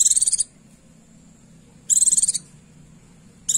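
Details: High, rapid chattering bursts from a female Oriental white-eye calling to attract a male, repeated roughly every one and a half seconds.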